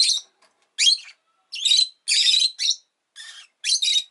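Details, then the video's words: {'caption': 'Rosy-faced lovebird giving rapid, scratchy chirps in short bursts, some notes carrying a brief whistled tone, with near-silent gaps between them.'} "Lovebird Chirping Sounds"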